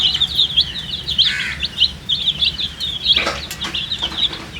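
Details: Baby poultry chicks with coloured feathers peep out of thirst for water, quick shrill cheeps in uneven bursts, plus a couple of scraping, rustling noises.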